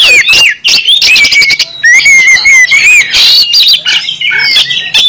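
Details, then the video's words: Oriental magpie-robin from Kalimantan singing in gacor style: a loud medley of clear, level whistles, squeaky rising notes and harsh rasping bursts, delivered rapidly and without pause. "awas kacer anda ikut nyaut,gacor,dan buka ekor mendengar kacer ini"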